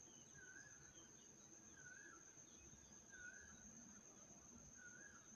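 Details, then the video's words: A koel gives four soft, two-part calls at about one-and-a-half-second intervals, set against a steady high insect drone and faint background noise. "Koel bird sound"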